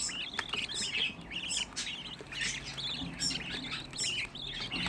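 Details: A group of sixteen home-bred budgerigar chicks giving rapid, wavering chirps that overlap continuously, with a woman speaking quietly in the background.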